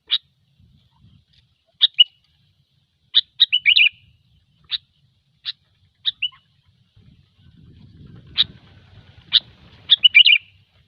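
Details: Sooty-headed bulbul in gecor song for bird luring: scattered sharp single chirps and brief warbled bursts over eleven seconds, with a low rumbling noise in the middle.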